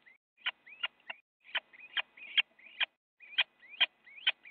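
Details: Little Owls fighting in a nest box in the Netherlands on 8 January 2017 at 8:42 in the morning, one owl biting another: rising whistled notes alternate with sharp, harsh bursts, repeated in quick, irregular series.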